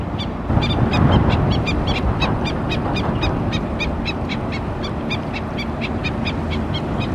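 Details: Black-necked stilt mother sounding the alarm for her chicks at Oso Creek, Laguna Niguel, California, April 29, 2017: rapid, overlapping yelping notes, nearly four a second, loudest early on, over rumbling wind-like background noise.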